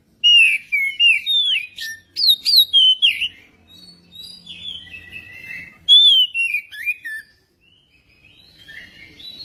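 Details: Song of a magpie-robin, used to get a magpie-robin singing: a rich stream of varied whistles, sweeping down and up, with clustered chirps and a quieter stretch of softer warbling in the middle.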